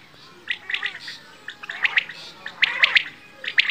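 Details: Bedana or batair quail giving scattered soft chirps that build into tight bursts of three or four sharp, high notes toward the end.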